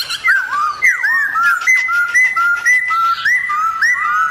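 A black-throated laughingthrush sings loud, clear whistled phrases, swooping and slurring up and down, delivered in a rapid varied stream with little pause.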